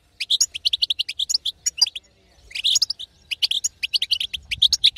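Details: Goldfinch female call sequence for prompting a silent male to sing: quick high twitters in short runs, a brief lull around two seconds, then dense chirping resumes.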